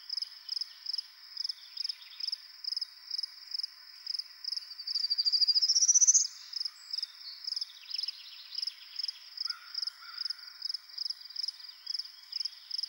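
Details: In Ontario, where the species is rare, a male prairie warbler sings on his territory on a Sunday morning to attract a mate. He sings once, a quick buzzy series climbing in pitch, over a high pulsing insect chorus and faint bird calls.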